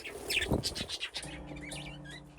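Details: Budgerigars playing in an aviary with nesting boxes, a flock grown from two pairs: a quick burst of high chattering chirps in the first second, then steady low humming tones underneath.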